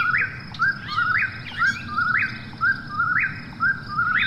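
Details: ['Eastern whip-poor-will calling at night: a clear whistled three-part phrase, low note, slight dip, then a sharp rise, repeated about once a second, with a steady insect hum below.']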